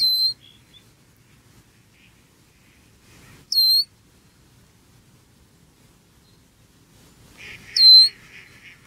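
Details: A little black bird peeps loudly as it enjoys breakfast, filmed from less than five feet away: three piercing, downslurred peeps spaced about four seconds apart, with a faint rustling buzz just before the last.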